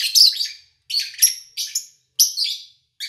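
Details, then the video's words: Lovebirds kept by an owner, recorded in August 2019 in a quiet setting; loud, scratchy high chirps in quick doubled bursts, about four groups with short pauses between. "Sounds of Lovebird Chirping"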